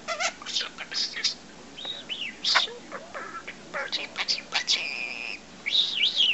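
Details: Five-month-old pet parrot, which began talking at about two and a half months and sometimes strings learned words into its own phrases, chatters in bursts of high-pitched speech-like syllables mixed with short whistles.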